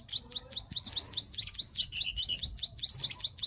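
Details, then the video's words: Bar-winged prinia (ciblek) clicking 'klik klik' call, played as a lure to bring birds into breeding condition: rapid high-pitched ticks repeated roughly every quarter second, interspersed with thin twittering notes and faint background noise. "pancingan burung klik klik agar birahi"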